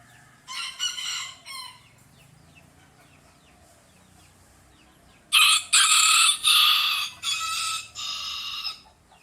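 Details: Rooster calling twice: first a short, ragged burst of about a second, then, after a long quiet gap, a louder, harsher crow of roughly three and a half seconds broken into several segments.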